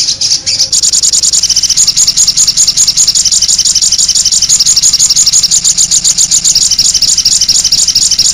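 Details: Sogok ontong sunbird master recording in konin voice with complete fill notes, for getting birds to sing: a sustained burst of very rapid, high, ticking chirps running without a break.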